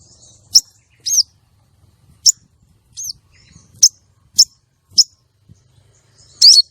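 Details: Calls of a female common iora, meant to lure and trap males and excite male contest birds: a busy run of short, high, clipped chirps and a few looping twisted notes, some with soft low taps.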